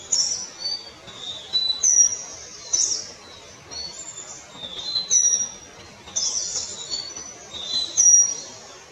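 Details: Palani laughingthrush (Palani Chilappan) calling with very high, thin whistled notes and short slurs in clustered bursts about every one to two seconds, above a quiet background.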